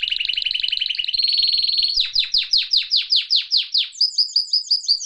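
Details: Canary singing indoors: fast rolling trills at changing pitches, then a run of loud descending chirps about three per second, finishing with quick high repeated notes.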